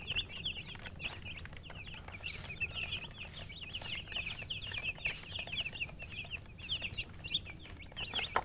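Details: Chicks chirping nonstop: bright, piercing little peeps repeated in quick overlapping bursts, with faint rustling and a low background rumble.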